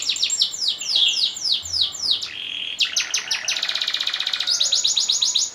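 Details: Long-rolling canary song for training and competition: a run of falling whistled sweeps, a short buzzy note, then continuous fast trilled rolls switching pitch levels.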